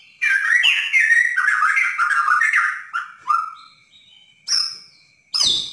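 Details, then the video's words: Bornean white-rumped shama in lively "dar der dor" chattering song, played to provoke a caged shama into singing: a continuous run of rich, mid-pitched whistled and warbled phrases, then a few sharp notes and a harsh burst at the end. "Murai borneo gacor / Masteran murai batu borneo / gacor dar der dor / pancingan murai macet bunyi"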